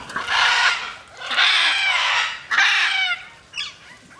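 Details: Macaws flying freely let out drawn-out, grating screeches, three main ones close together followed by a shorter, weaker squawk near the end.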